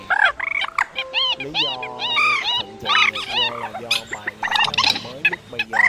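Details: Layered calls of migratory birds (trích ré, quốc biển, mốc) used as lures for night net trapping in March and August 2024: dense overlapping arched, nasal notes and rising squeals, repeated in quick bursts with a faint steady tone underneath.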